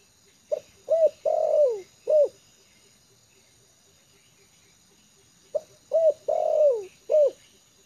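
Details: A spotted dove kept as a trained lure bird, calm on the ground, repeating its cooing phrase twice about five seconds apart, each a quick note, a short coo, a long descending drawn-out coo and a final coo, over a faint hum.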